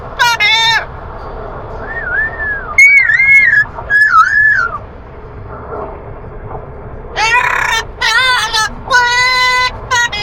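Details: An Amazon parrot in a long practice session sings the learned song "La Puerta Negra" in bursts of whistled, rising-and-falling notes and harsh, voice-like phrases, with low background hum.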